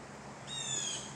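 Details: A blue jay above the canopy over a backyard feeding station on a June morning gives one harsh, raspy call that starts abruptly and falls slightly in pitch over about half a second, above a faint steady hiss.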